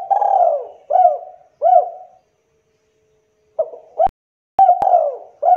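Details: Spotted dove, a lively calling bird, used as a lure to make captive doves answer. Soft low coos with quick upswung starts come three times. A silent pause follows, then more coos broken by sharp clicking knocks.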